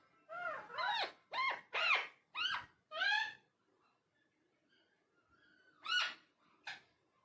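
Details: Indoor talking parrot giving a quick series of six arching, speech-like syllables, a quiet pause with a faint whistle, then two more short calls.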